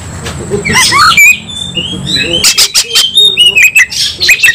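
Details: White-rumped shama in fighting mood, bursts of harsh rasping notes alternating with slurred whistles and quick clicking chatter, loud and agitated.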